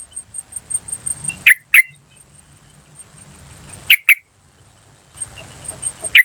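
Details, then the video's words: Yellow-vented bulbul in the wild, used to attract wild bulbuls in forest, gardens and around homes. Short harsh 'chuk' notes come in close pairs, three pairs spread across the clip, over a constant high-pitched insect drone. "PANCINGAN TRUCUKAN BAHAN Asli Suara Alam Liar CUK CUK CUK memanggil"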